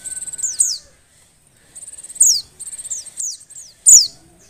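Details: Female Oriental white-eye in breeding condition, calling to stir lazy males into song: rapid high trills of short notes near the top of the range, each run ending in quick descending slurs, in bursts separated by brief pauses.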